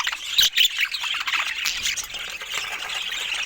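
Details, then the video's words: Budgies eating fruits, a brief burst of sharp squeaky notes first, then a steady wash of thin, scratchy chatter from several birds. "Cute Budgies Making Sweet Sounds While Eating Fruits"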